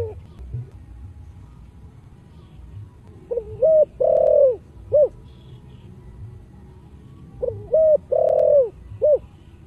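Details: Spotted dove, 'giọng thổ' song used to stir decoy doves: two phrases about four seconds apart, each a couple of quick hoots, a long loud falling coo and a short closing note, over steady low background noise.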